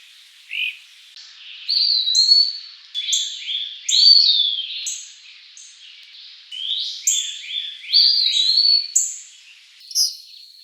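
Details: An Eastern Wood-Pewee in the eastern US in summer gives high, slurred whistles that bend up and down, in bursts every second or two, with thin chips between phrases.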